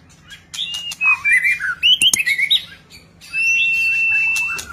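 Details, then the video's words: White-rumped shama singing in display with many voices: quiet start, then a burst of rapid varied whistles and chatters, followed by a long level high whistle. "ลีลา นกบินหลาดง MURAI BATU GACOR White-rumped shama Display kích chòe lửa hót nhiều giọng บินหลาดง"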